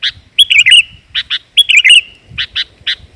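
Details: Female sooty-headed bulbul call, used to lure males: bursts of bright chirping notes alternate with short chattering trills, repeated about once a second, with faint low thumps beneath.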